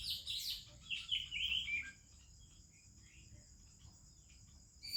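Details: Oriental magpie-robin singing in the morning in India among other birds: a burst of bright, varied whistled notes sliding downward over two seconds, then near quiet, with a steady high insect drone throughout.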